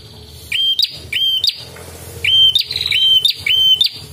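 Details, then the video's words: Red-headed prinia calls used for training and luring birds: a clear whistled note that rises sharply at its end, given in well-spaced bursts of about two to three at a time, with a faint low hum underneath. "AMPUH..UNTUK MASTERAN DAN PIKAT BURUNG PRENJAK"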